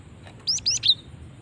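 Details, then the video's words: Short lure call of a female cinereous tit: three quick, sharp, high chirps, the last one sliding downward into a thin whistle. "Ampuh memancing bunyi gelatik batu betina ini"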